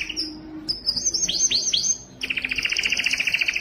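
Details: Canary song meant for mating: high notes, then several sweeping downslurred whistles, then a rapid rattling trill repeated many times a second.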